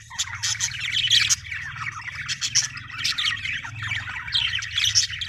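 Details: Budgerigar chirping happily, with a dense stream of shrill chirps, squawky notes and quick twittering bursts. A steady low hum runs beneath the whole recording.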